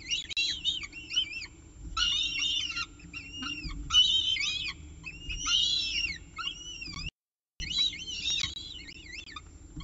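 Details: Peregrine falcons feeding at the CSU Orange nest, evening of 18 October 2018 at 6:51 pm, nestcam: repeated bursts of high bent whistles, short hooked notes grouped in fast clusters about every second, one short silent break.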